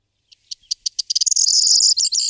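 A corn bunting sings a short song: a few high ticks that quicken into a dry, jangling, glassy rattle, like a bunch of keys shaken. No other sounds are heard.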